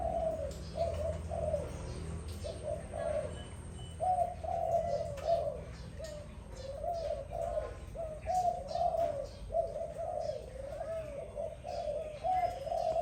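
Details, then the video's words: Dove calling in the morning: soft low cooing notes repeated in short phrases throughout, steady and mellow, with faint chirps from other birds and light background noise. "Sweet sound of dove in the morning"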